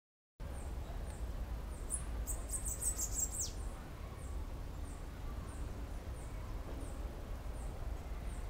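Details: A free-flying Bananaquit singing in a tree gives a very high, thin, sizzling burst of song with faint high chirps before and after, over a steady low rumble.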